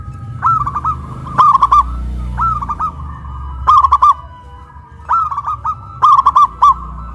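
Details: Duet of local zebra doves, one big-voiced and one crystal-voiced, singing loudly after being raised on a pole in Kuningan, West Java. Loud and softer phrases of rolling, staccato coos alternate, each lasting under a second.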